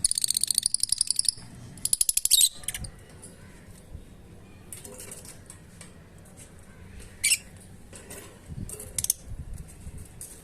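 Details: A pet Lutino lovebird from a pair that has just laid an egg gives two bursts of rapid, shrill, buzzy chattering, then scattered sharp high chirps over a quiet room background.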